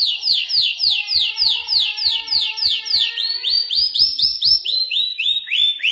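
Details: Mashadi lark repeating a high downward-sweeping whistled note about three times a second, the series rising slightly and continuing steadily throughout.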